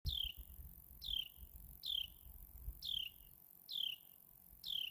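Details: Carolina wren chirping away: a high, sharp note sliding downward, repeated steadily about once a second, six times, in an otherwise quiet setting with faint low rumble.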